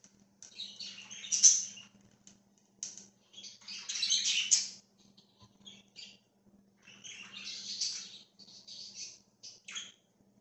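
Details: Free-flying pet budgerigar flock, October 13, 2024: clustered bouts of high warbled chatter with harsh buzzy notes, about three bouts over ten seconds, separated by near silence and a steady low hum.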